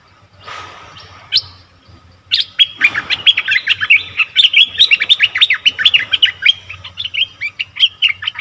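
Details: Lure recording of a bulbul for attracting wild birds: after a faint rustle and a low background hum, a long, rapid run of bright, bouncing chirps begins and carries on to the end.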